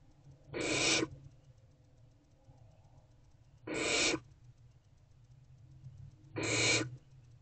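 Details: Barn owl owlets, hungry and still waiting for their mother at an owl box in the evening, make three evenly loud hissing screeches about three seconds apart.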